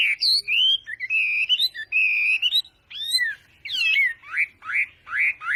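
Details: Wambi song meant to prompt lazy wambi birds into singing: long wavering whistles give way to rising slurred notes, then a series of upward-sweeping whistles repeated about every half second.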